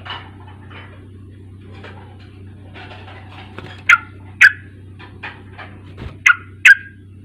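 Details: Sooty-headed bulbul lure used to make a young bird start singing: faint chatter at first, then two pairs of loud, crisp chirps, with low hum throughout.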